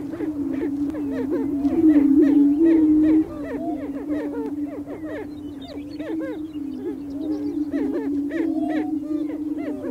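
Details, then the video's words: Greater prairie chickens, males gathered on a spring lek on North American prairie, booming in mating display to attract females: a steady low moaning drone from many overlapping birds, with frequent short rising whoops and cackles above it. "Greater Prairie Chickens On their booming Grounds - Mating Displays"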